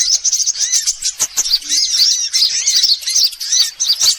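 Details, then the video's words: Sunbirds in a lure recording meant to draw in every kind of sunbird: rapid, shrill chirping about three notes a second, with high sweeping twitters piled over one another. "Suara pikat semua jenis burung kolibri"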